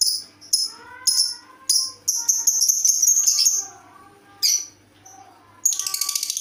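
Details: Lovebird making odd sounds: several sharp squawks, then a sustained buzzy high rattle lasting nearly two seconds. After a pause comes another squawk, then a final burst of rapid pulsed chatter. Softer lower whistling tones sound between calls.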